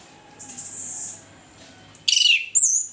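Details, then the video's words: Morning ngeplong song of an orange-headed thrush, meant to spur silent birds into singing: after near silence with a faint hiss, a sudden dense burst of shrill, buzzy high notes, then a clear, sliding whistle. "ANIS KEMBANG NGEPLONG PAGI, PANCINGAN AK MALAS BUNYI AGAR GACOR"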